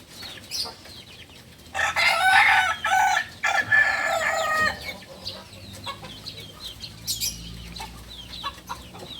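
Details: Novice Balenggek cock from Solok, West Sumatra, crows for about three seconds: choppy stepped syllables, a brief pause, then a longer tailing phrase. Small birds twitter before and after in the quiet background.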